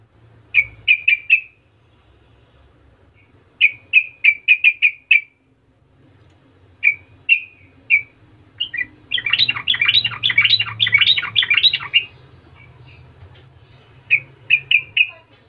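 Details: Sooty-headed bulbul in rolling 'rol' style, used as a lure that taunts rivals so other bulbuls answer at once; short trilled bursts near one pitch in groups of three to five, then a dense chattering cluster, faint low hum beneath.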